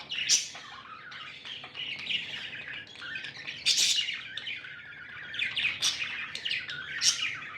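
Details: Pet budgerigars, described as happy, keep up a steady scratchy warble, with sharp high squeaks breaking through roughly every one to two seconds over continuous chattering.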